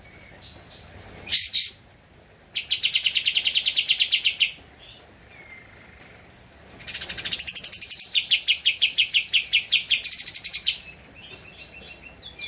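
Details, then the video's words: Original recording of a prolific-singing Javan white-eye, used as a master track for tutoring cage birds: a loud rasp, then two long rapid trills of clipped high chirps separated by soft thin whistles. "Kapas Tembak Gacor untuk Masteran (suara asli)"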